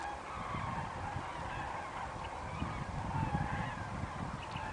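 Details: Two formations of common cranes (Grus grus) flying over Wermelskirchen on 17 November give a steady chorus of distant, overlapping trumpeting flight calls over a heavy low rumble of wind.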